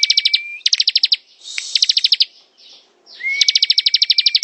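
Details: Bar-winged prinia pouring out ngebren song, with fast machine-gun series of high notes alternating with soft hissy pauses, and a drawn-out thin whistle beneath the first and last runs.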